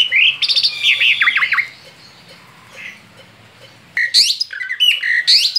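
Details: Male Asian pied starling, out of the cage, in rolling song: a burst of loud descending whistles and squawks, a quiet gap of about two seconds, then shrill chattering slurs resume.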